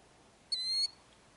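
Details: A killdeer protecting its eggs in Kananaskis, Alberta, Canada gives a single shrill, steady, clear high note about a third of a second long, over quiet background.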